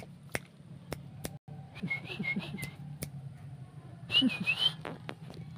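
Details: Hill myna taught to say the greeting "assalamualaikum": two bursts of high, slurred whistled syllables, each a quick run of about three, over a steady low hum with sharp knocks and clicks.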